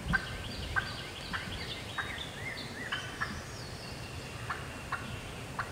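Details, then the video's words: Irregular sharp clucks and short notes from a fired-up wild hen turkey in Georgia woodland, scattered about a second apart, with thin high songbird calls threading through behind. "Hear that old hen yelping and cutting and clucking like that."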